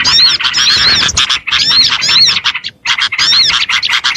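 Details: Oriental white-eye chatter for luring birds: grouped bursts of high, trilling twitters and slurred whistles, pausing briefly before the last phrase.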